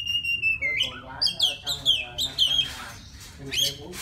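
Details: A forest white-rumped shama singing to a female opens with a long steady whistle, then rapid bouncing rising notes and slurred whistles. A brief rustling break follows before more whistled notes.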